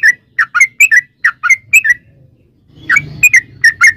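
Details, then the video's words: Yellow-vented bulbul in a long rapid 'ropel' song, played as a lure to make other bulbuls sing: short bright chirping notes in quick bursts, a pause near two seconds, then a renewed burst with soft low rumble beneath. "trucukan gacor ROPEL PANJANG buat pancingan trucukan agar bunyi"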